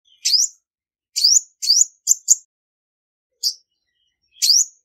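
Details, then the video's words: High chirping of a female olive-backed sunbird, recorded without background noise: scattered buzzy rising notes, a few short clipped ones in quick pairs, separated by gaps. "Tiếng chim Hút mật 5 màu mái không tạp âm | Olive-backed Sunbird Female"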